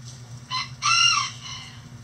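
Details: Chickens in a coop on a sunny day: a brief harmonic note, then a longer, louder drawn-out call that holds steady before tailing off, over a low steady hum.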